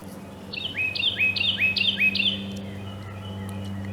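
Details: Carolina wren on April 27, sunny cloudless day with north wind by a meadow in spring migration, gives five quick, ringing two-note phrases, each a high note slurring down to a lower one, over a steady low hum.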